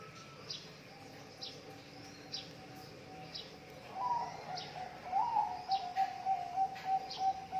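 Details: Zebra dove song used as a training recording for doves reluctant to sing: faint, steady low hum at first, then from midway a quick run of short, clipped coos repeating several times a second, with soft clicks throughout.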